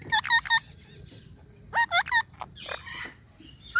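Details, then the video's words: Parrot calling in short bursts: three quick bent, nasal notes, a pause, then another cluster of three, with fainter scratchy sounds trailing and a rising note at the end. "Parrot talking videos | Tanking Parrot Nutural bird | Parrot Sound Compilon"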